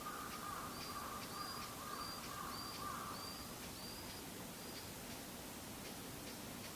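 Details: Varied tit calling from high up, unseen, in satoyama countryside on 28 February 2015, giving a series of thin, high, evenly spaced notes about twice a second, over a low, steady murmur in the first half.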